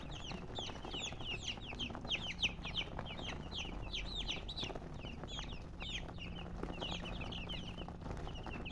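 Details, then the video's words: Baby chicks chirping continuously, many high, downward-sliding peeps overlapping in a dense rapid chorus, with a low background hum. "Baby "Chicks Chirping""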